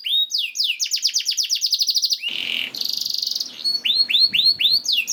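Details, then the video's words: Canary song used to encourage canaries to sing: swept whistles and a rapid trill, a harsh raspy buzz, a fine fast rattle, then repeated curved whistled notes. "MASTERAN KENARI YANG COCOK UNTUK KENARI ANDA ISIAN MEWAH JAMIN NYAUT GACOR"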